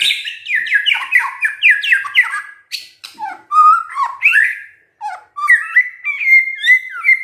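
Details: Varied song from a White-rumped shama: a fast cascade of slurred whistles, lower fluty notes, and a few clicks, then sweet whistled phrases that finish on a steady, wavering note.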